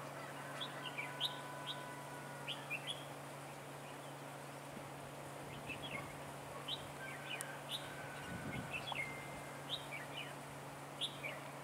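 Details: Red-whiskered bulbul trapping with a decoy bird on 15 March 2018: scattered bright chirps and short warbled phrases, a few long thin whistles, with soft background hum and brief rustling.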